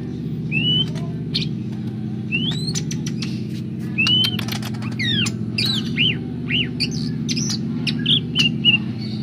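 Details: Greater green leafbird singing vigorously in Banjarmasin, South Kalimantan: varied rising whistles, quick clicks and short looping slurs, growing busier toward the end, backed by a continuous loud low hum.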